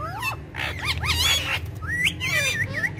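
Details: Pet parrots from a talking parrot family playing together on a charpai; loud, close, harmonic squawks and bent whistles, rising and falling, run in quick overlapping bursts over a low steady hum.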